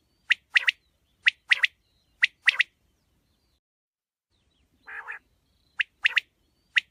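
A quail gives sharp, high chirps, single or in quick doubles and triples, in irregular bursts about once a second, with one lower rasping note midway.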